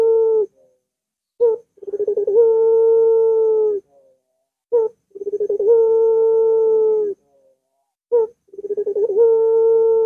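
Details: Barbary dove song meant to get a reluctant dove singing. Three phrases arrive about every three and a half seconds. Each one is a short clipped coo, then accelerating stuttered pulses and a long steady low hoot.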